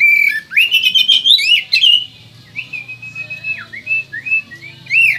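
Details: White-rumped shama, native to West Kalimantan, Indonesia, singing a varied run of loud whistled phrases: rich slurred notes, rapid rising sweeps and buzzy trills, then a quieter stretch of short separate whistles and a final upward flourish.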